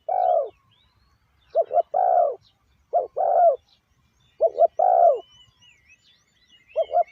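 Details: Spotted dove decoy calling wild doves, a steady run of deep cooing phrases, each two clipped notes and a longer falling coo, repeated roughly every one and a half seconds, faint birds twittering behind.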